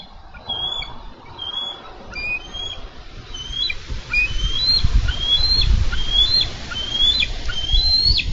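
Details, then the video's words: A wild bald eagle pair at their Minnesota nest, July 2013, as one eagle ambushes the other and wrestles away a carp. Rapid series of high, piping chirps, each with a quick downward flick, growing more insistent against rising wind rumble. "Eagles Wrestling for Fish"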